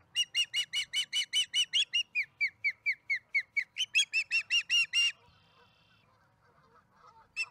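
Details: Nest-cam osprey in Charlo delivering a fish, April 26, 2019: a long series of some twenty-five quick chirps over five seconds, a few thinner and downslurred, followed by a faint whine.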